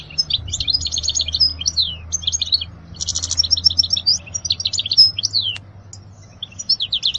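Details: European goldfinch song for teaching young birds: rapid liquid twittering of short chirps, trills and downslurred notes, delivered in bursts with a brief pause near three seconds and a faint low hum beneath.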